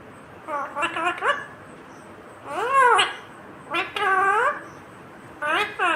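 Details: Talking green ringneck parrot: a few drawn-out, nasal speech-like phrases, each a stack of harmonics sweeping up then down in arches, with quiet gaps of one to two seconds between bursts.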